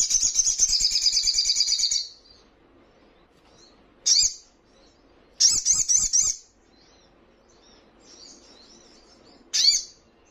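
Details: Crimson sunbird (sogon) on a training recording meant to provoke kept birds into answering and wing-fluttering: a fast, high, buzzy trill for two seconds, then separate sharp chips and a short stuttering burst.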